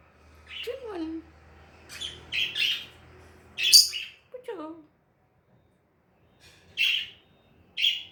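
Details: Pet lovebird playing with a mirror indoors, giving sharp high chirps and short squawks in scattered bursts, some notes sliding downward, with quiet pauses between calls and faint low background hum early on.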